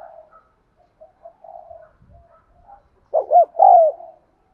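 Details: Spotted dove cooing to encourage non-cooing caged birds: soft faint murmurs first, then a clear burst of two quick coos and a longer falling coo near the end.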